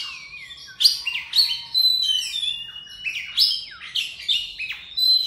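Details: Oriental magpie-robin singing in the morning: a rich, fast sequence of sweet whistled notes, sharp downslurred and upslurred phrases, repeated in lively bursts without long pauses.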